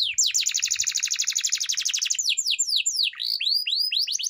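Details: Canary song used to train other canaries: a loud rapid high trill of repeated bright notes, shifting after two seconds into quick descending swept whistles and clipped chirps, with no other sound heard.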